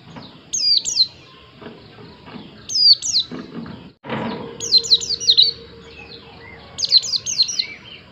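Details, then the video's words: White-eye repeating short clusters of high, sliding whistled notes every second or two, with a brief break and a soft bump midway. "Plecimu Langsung Nyaut, Dengar suara burung Pleci yg satu ini"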